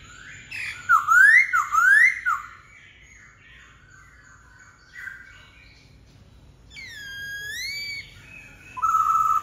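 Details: Black-throated laughingthrush giving zigzagging whistled notes early, then a long pause with faint sounds, followed by a sustained rising whistle and a final loud steady note.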